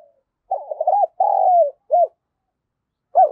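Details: Spotted dove decoy bird with a thunderous 'giọng thổ' voice gives deep cooing. A rough rolling note, a long falling coo and a short arched coo sound apart, then a final coo after a pause, with a quiet background.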